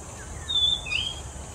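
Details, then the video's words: Oriental magpie-robin singing in Singapore: two clear whistled notes, a steady high whistle followed by a lower slurred rising note, against a constant insect drone. "Bird Song: Compilation of ORIENTAL MAGPIE-ROBIN Singing, Singapore"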